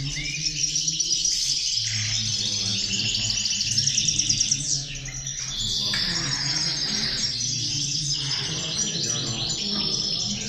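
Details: A group of European goldfinches sings in busy overlapping phrases of liquid twitters and quick trills. A brief lull comes near the middle, then the chattering resumes. Some low background hum is audible.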